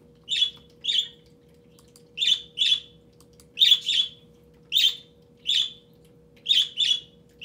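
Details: Captive budgerigar indoors singing at a switched-off webcam, giving about a dozen crisp high chirps, some in quick pairs, spread irregularly across the recording, with a constant low mains-like hum beneath.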